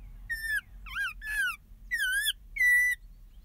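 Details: A pair of Audubon's orioles arriving at a property in Southwest Texas, recorded on an iPhone: clear whistled notes, some rising and falling, given in five short phrases over about three seconds, with a low background hum.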